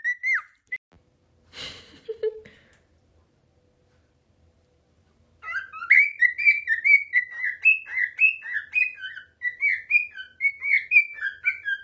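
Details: Pet cockatiels: a brief whistle and some scratchy noise, then about six seconds of lively chattering whistles jumping up and down in pitch.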